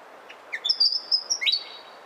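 A Willie wagtail gives a brief upslurred note, then a long, high, clear whistle and a quick rising sweep that levels off, over faint background hiss.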